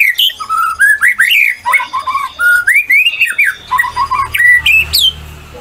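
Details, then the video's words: Captive white-rumped shama in full song, played to provoke other shamas to sing: a loud, continuous run of rich whistles, rising and falling slurs, quick trills and sharp high notes over a faint low hum. "murai batu gacor ngeplong"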